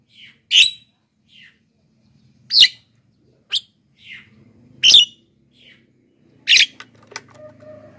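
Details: Javan myna used to call wild birds and train lazy singers: loud harsh squawks alternating with softer scratchy notes, over a low hum and faint background sounds toward the end.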